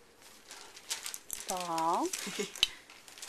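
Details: A pet green-winged macaw, held up to "answer the phone", gives a single drawn-out, talking "hello" with a slight rise and fall, surrounded by soft human speech and indoor handling noises.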